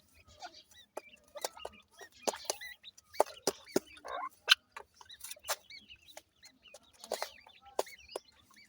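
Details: ['Ring-necked pheasant chicks giving scattered high, arched peeps between loud sharp clicks and rustling knocks, the peeps sparse and spaced out.']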